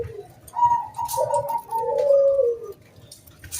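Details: Local zebra dove lure song, sung to get other doves singing: overlapping soft trilled coos, one voice higher and one lower, swelling and fading over a low background hum.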